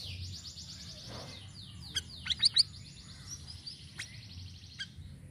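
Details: Sirisiri bird singing varied phrases, used as a lure for other birds: long, high, buzzy rattling trills broken by a few sharp, bright chirps, over a faint low background hum.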